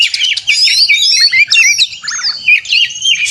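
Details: Agitated oriental magpie-robin song for provoking caged birds, contest style: a rapid stream of bright whistles, slurred glides and chattering notes, plus a lower descending warble mid-phrase, sounding about three to four notes per second.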